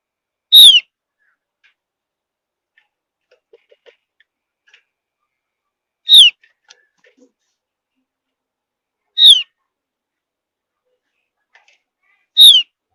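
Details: Javan grey-throated white-eye of high mountain forest, whose song is said to set other birds singing, delivers four brief, sharp, descending notes spaced about three seconds apart over otherwise quiet background.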